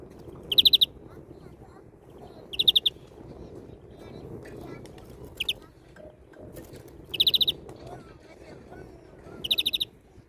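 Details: Greenfinch, European, uttering loud rattling bursts of four or five fast notes about every two to two and a half seconds, with one lone short note between them, over a low steady background rumble.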